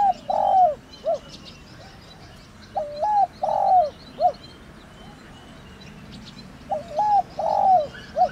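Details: Spotted dove calling in 'thổ đồng' style to stimulate decoy doves. Three repeated low coo phrases come roughly every three to four seconds, each a wavering note, a long downward coo and a short hoot, with quiet pauses between.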